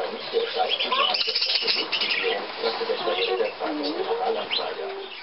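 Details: Budgerigars, hand-tame and kept with their keeper, 14 May 2010: busy chirping and warbled twitters, brief upward squeaks and a rising whistle near the end, over steady human speech.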